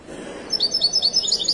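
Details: Widani Moroccan goldfinch at Casablanca's Souk Lqriaa bird market delivering a brief, quick string of thin, high tinkling chirps lasting about a second, with a soft crowd hum beneath.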